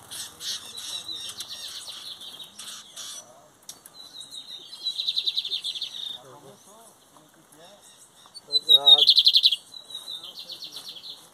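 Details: Lined seedeater (bigodinho) from the 2023 competition season, with the metálico and torneiro song styles named. High, buzzy trilled phrases with rapid pulsing come in bursts, while a man talks in Portuguese between and over them.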